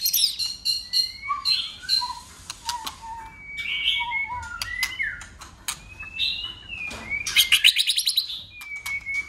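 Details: White-rumped shama in competitive song with tail-flicking and constant voice changes. Clear sustained whistles, low fluted notes and rising slurs are spaced by brief gaps, with a burst of buzzy high notes near the end.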